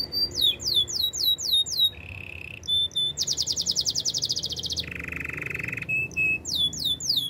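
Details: Canary singing a training song for other canaries: quick falling whistled slurs, then a steady low buzzy tone, a fast high rattling trill, and another lower buzzy roll before the sweeping notes return.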